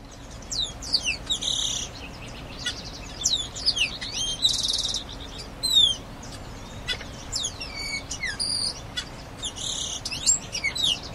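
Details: Grayish baywing song: bursts of high, twisting whistled notes and buzzy, bright chattering phrases, repeated in clusters about every one to two seconds over a faint steady background hiss.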